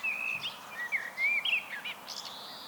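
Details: Common blackbird in solo song, a clear sequence of mellow whistled notes sliding up and down, closing with a high squeaky flourish, faint hiss behind.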